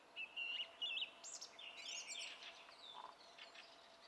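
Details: Song thrush song, recorded 27 April 2016: two similar clear whistled phrases in a row, followed by a scratchier, more varied run of notes.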